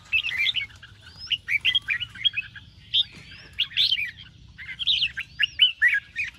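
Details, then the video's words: Red-whiskered bulbul trained for singing competition, morning song in ché style: rapid chattering and warbled whistles in three dense bursts, one long sliding upslur, quiet low hum behind. "chào mào hót sáng QUÁ HAY - CHÉ KÍCH BỔI CĂNG ĐÉT"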